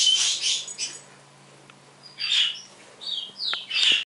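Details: Pet parrot in the morning copying sound effects and a canary's singing: a cluster of high, grating squawks, a pause of about a second, then brief whistled notes and more raspy chirps, with a faint room hum.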